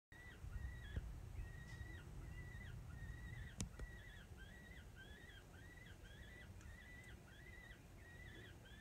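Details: Peregrine falcon (Falco peregrinus), one of two chicks on a ledge high above Cal State LA with a parent nearby, gives thin, harsh squawks, about two or three a second and growing steadier, over a low rumble of wind.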